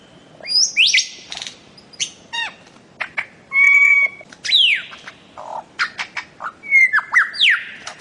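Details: Bird-of-paradise (cendrawasih) song from Papua: a varied, high run of clear whistles, steep downward sweeps, buzzy trills and sharp clicks, each burst lasting under a second.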